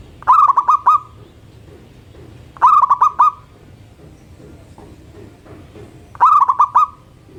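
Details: Zebra dove of a local strain in lively morning song that prompts others to join, three mellow stuttering coo phrases, each of four or five quick bubbling notes, repeated about every three seconds against faint background hum.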